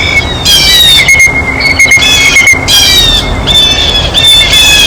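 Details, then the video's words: Scattered, buzzy screeches from blue jays while they eat at a feeder. Clicks and a constant thin whistling tone run through the background. "El SONIDO DEL BLUE JAY (Arrendajo Azul)"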